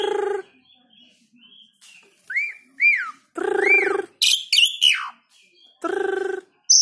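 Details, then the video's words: Tame caged black-winged starling in Subang, singing actively and calmly, its song used as a lure to prompt other birds to sing; varied phrases of harsh harmonic squawks, rising-and-falling whistled slurs and short buzzy bursts separated by brief pauses. "JALAK SUREN GACOR ANTI STRES FULL ISIAN BUAT PANCINGAN BURUNG LAIN"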